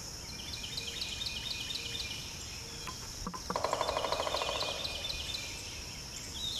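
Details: Pileated woodpecker, with a male drumming while a female forages in a rotten branch: a rapid, even roll of knocks lasting about a second midway. High insect chirping and a repeated bird chirp run throughout.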